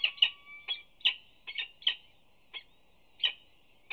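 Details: At the UC Berkeley nest, 25 April 2019, the mother peregrine chirps to her two newly hatched chicks while feeding them torn prey, telling them food is there: quick, sharp, repeated chirps, some doubled, roughly every half second.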